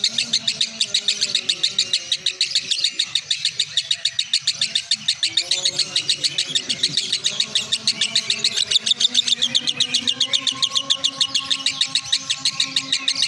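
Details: Lovebird, over two years old, chatters in an unbroken, shrill stream of rapid buzzy notes, about three or four each second, over a faint low hum and other birds in the background.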